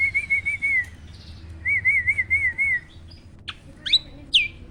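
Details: Black-winged starling song from a recording used to prompt quiet captive starlings: two smooth wavering whistled trills, then a few sharp high chips.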